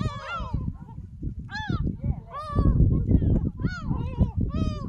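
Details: Gulls at Jeongok Port near Jebudo Island, Korea, recorded walking with a smartphone: loud, ringing, down-curving cries repeated in quick overlapping bursts above a heavy, continuous low rumble.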